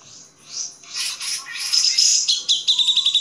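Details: Grey-cheeked bulbul master recording for training songbirds: scattered high chirps open, then a rapid chattering run of buzzy, bright notes that grows louder and ends in quick pulsed bursts.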